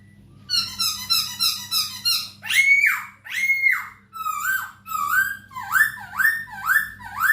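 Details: Masked laughingthrush song for training captive birds: a fast stuttering series of buzzy notes, then loud downward-swooping whistles and a repeated string of short rising-falling slurs about twice a second; low hum present.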